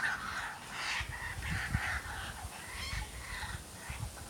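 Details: Baby kookaburras learning to laugh in a backyard, giving a string of harsh, scratchy chuckles in uneven bursts, with low rumbling background noise underneath.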